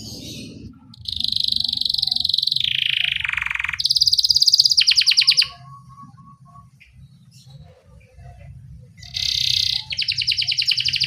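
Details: Domestic canary singing 'ngerol jeda' rolling song to coax young canaries to sing. A sustained buzzy trill falls in pitch, then a louder rapid trill, a quiet stretch, and renewed buzzy trilling, over a constant low rumble.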